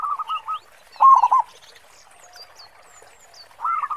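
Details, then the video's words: Actively singing local zebra dove (perkutut lokal) with a big 'khong' voice, kept as a lure for other doves: short bursts of quick, rolling low coos separated by pauses, with faint thin twitters from other birds in the gaps. "Perkutut Lokal Gacor Suara Khong besar"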